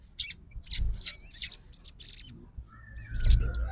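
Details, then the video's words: Sogon immediately responding to a rival's song: several quick high chirping bursts, then a twisting whistled phrase over a steady lower tone and low rumble. "SOGON FIGHTER LANGSUNG RESPON DENGAR SUARA SOGON GACOR"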